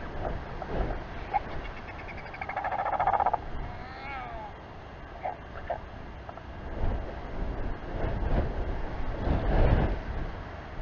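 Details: A royal albatross, a father just arrived at the colony at Taiaroa Head near Dunedin, New Zealand, gives a brief nasal, wavering call with a quick trilled rising-and-falling edge, over steady wind rumble and buffeting.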